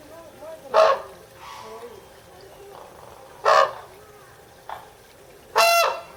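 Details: Captive red-crowned crane (Grus japonensis) at Higashiyama Zoo, Japan, June 2010, giving loud, harsh, trumpeting calls: three strong blasts about two to three seconds apart, with a shorter, fainter note between them, over a low background hum.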